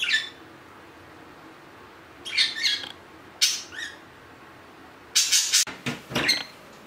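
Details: Four-year-old pet budgerigars at home: short, harsh, bright squawks in three separate bursts, with gaps of quiet in between. The last burst is a louder cluster of sharp scratchy calls.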